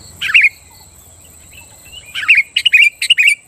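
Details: Sooty-headed bulbul song used to stir rival bulbuls into singing: one bubbly whistled phrase, a pause, then three rapid repeated phrases of slurred, liquid notes, over a thin continuous high hiss.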